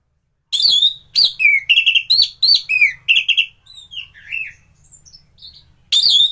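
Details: Thrush in peak song, used to train other thrushes: loud, rich whistled phrases repeated rapidly, falling and rising. Softer, quieter warbles follow before a final loud burst.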